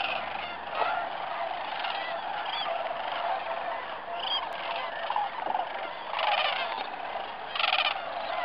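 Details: Large gathering of Sandhill Cranes, mainly Greater plus a few Lesser, recorded December 12, 2009, at Bernardo Waterfowl Management Area, New Mexico; constant overlapping trumpeted, rolling calls, with several louder nearby calls rising out of the chorus.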